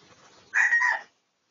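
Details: Red junglefowl of the Pradu colour type, recorded for research on 18 August 2023; one loud, harsh crow lasting about half a second, with a strong, slightly wavering middle pitch, ending abruptly into silence.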